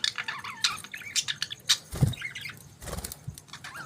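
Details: Morning chirping from several budgies, a rapid stream of high twitters and warbled squeaks, broken by a few dull low knocks.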